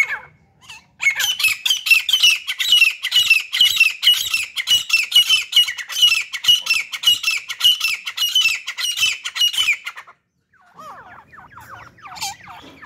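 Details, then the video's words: Partridges, a male and female pair plus a hunting decoy female in an excited mood, give a rapid, harsh chattering series of grating notes for about nine seconds, then quieter twisting calls after a brief pause. "تیتر جوڑا اور شکاری مادی مستی میں"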